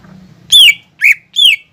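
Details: Green leafbird masteran recording, said to carry fighting-sparrow, lovebird and kolibri imitations: three strong downward-sweeping whistled notes, the first preceded by a low buzzing hum.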